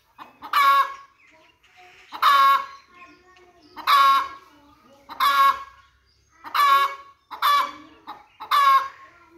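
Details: Domestic chicken, described as a hen, calling loudly: harsh, harmonic-rich squawking clucks in bursts about every one and a half seconds, each with softer lead-in clucks, over a quiet background.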